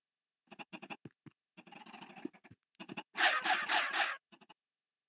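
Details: Chickens making silly noises: bursts of short, husky clucks repeated rapidly in uneven clusters, then a harsher, noisy squawk lasting about a second, followed by a few final soft clucks.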